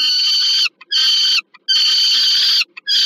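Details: Adult peregrine falcon delivering food to its young at a nest in Warsaw, Poland, 15 August 2022. Three long, rasping, screaming bursts follow close together, separated by brief clicks and pauses.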